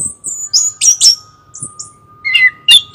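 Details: Short phrases from a chestnut-capped thrush: very high thin whistles and slurred notes, then a mid-pitched chirp and a final sharp rasp, over a faint low hum.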